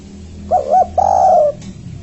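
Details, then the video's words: Spotted dove, called tekukur or anduhur, calling to lure companions for trapping. Two short hollow coos, then one long, level, drawn-out coo, over low hum. "Tekukur 3 Kuk...! Gacor bangat, Berhasiĺ memancing dan untuk Pikat"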